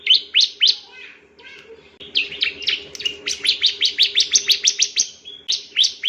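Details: Bar-winged prinia, a male, singing for a training recording aimed at other birds: two sharp chirps, soft murmuring, then a fast steady series of high, crisp chirps over a low hum.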